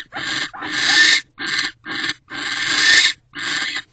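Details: Owl pair mating at a nest box on an evening in December 2023, 6:18 pm, the male then returning to the box door; harsh, breathy hissing bursts of uneven length, five rasping screeches separated by short silences.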